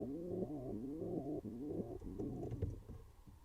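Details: Pigeon pair courting inside a nest box on a live birdcam: low harmonic cooing phrases with rising inflections, followed by softer rustling and shuffling sounds in a small enclosed space.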